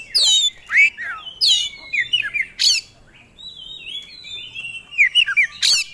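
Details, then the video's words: Oriental magpie-robin, a songbird entered in singing contests, delivering loud ringing downward whistles and scratchy bursts, a sustained thin whistle, then more rapid slurred notes. "Kacer Gacor Bongkar Isian"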